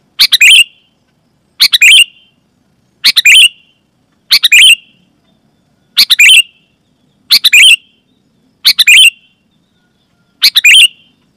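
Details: Sooty-headed bulbul uttering loud, clear calls to provoke nearby bulbuls into song. Eight short chattering bursts with trailing notes follow one another about every one and a half seconds.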